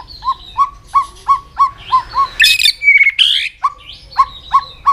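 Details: White-rumped shama training song for exciting a bird into rapid, many-voiced singing: a lower note repeated roughly every third of a second with high overtones, broken by a loud harsh burst and a long whistle before the repeats resume.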